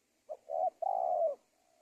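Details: Spotted dove cooing phrase used to lure wild doves into traps: a brief clipped note, a short coo, then a long drawn, gently falling husky coo, followed by a faint trailing tone.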